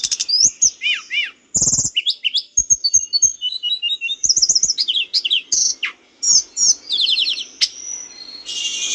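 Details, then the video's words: Lively mountain bush lark, recorded as training material for cage birds, delivers a dense medley of high chirps, downslurred whistles, rattling trills and fast stuttering notes, with a brief pause midway and a buzzy ending. "masteran tledekan gunung gacor biar tledekanmu ikutan gacor"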